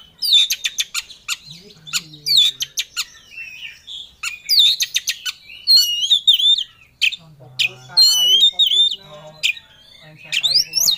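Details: Caged Oriental magpie-robin, a competition songbird, singing with full emotion as if seeking a rival: loud varied song of sharp downslurred whistles, rapid chattering bursts and warbled phrases high in pitch, with brief pauses and a faint low hum.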